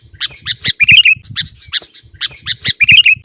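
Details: Sooty-headed bulbul song used as a training recording for caged birds: loud, lively phrases of chirpy bubbling notes ending in a quick warbled flourish, the phrase given twice, with faint low knocking beneath.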